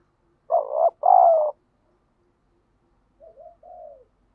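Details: Spotted dove training call for fighting and luring: a loud close two-part coo followed about two seconds later by a softer, fainter coo phrase from another dove.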